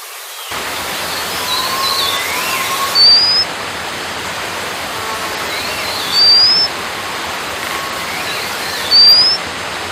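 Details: White-capped water redstart giving thin, rising whistles, one roughly every three seconds, each short and upslurred, heard over a loud steady rush of flowing water.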